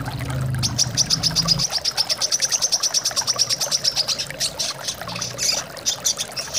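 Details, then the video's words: A brown-throated sunbird delivering a steady, rapid string of sharp, high chirps, roughly seven a second, that breaks into scattered notes, over flowing water, with a low hum at first. "TERAPI KOLIBRI KELAPA AGAR BUNYI DAN GACOR plus suar air mengalir the sound of hummingbirds chirping"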